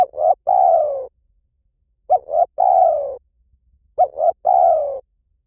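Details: Spotted dove cooing in the 'liu tan' style, played to lure a dove in training to call back. Three phrases arrive about every two seconds, each a quick double coo and then a long, mellow, slightly falling coo. The background is otherwise quiet.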